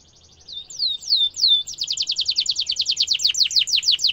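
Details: Canary with sharp rolling song meant as a model for young birds to copy: three slow, high falling whistles, then a dense, rapid trill of steep descending notes growing louder.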